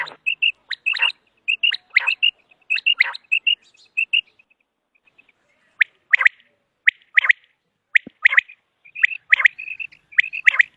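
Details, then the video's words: Common quail pips repeated in close groups, then sparser sharp sweeping notes after a short lull, with a bubbling run of pips near the end. "Common Quail Sound | For Quail Birds Hunting | Batair Ky Shikar ky Liye Batair Ki Awaz"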